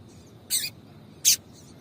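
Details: Two short, bright, high-pitched chirps from a female double-collared seedeater calling to stimulate the male, spaced under a second apart, with quiet low background noise between them.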